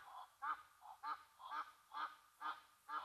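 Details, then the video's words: Agitated Egyptian Geese disturbed by a Brown Hyena at Gnu Pan waterhole, Mabula Game Lodge, South Africa, giving rasping honks roughly every half second, alternating softer lower notes with sharper, louder ones. "Brown Hyena, upsetting the Egyptian Geese at Mabula Lodge's Gnu Pan"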